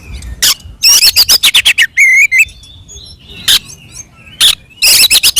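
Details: Oriental magpie-robin (kacer) singing in fighting mode, used to provoke other birds into answering: harsh broadband rasping bursts alternate with high whistled notes and a short slurred phrase, separated by brief silent gaps.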